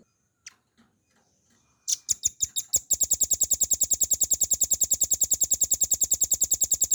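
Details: Velvet-fronted nuthatch in a clear training recording. A couple of scattered single notes lead into several spaced, emphatic high notes. These speed up into a rapid, even, machine-like trill that continues to the end.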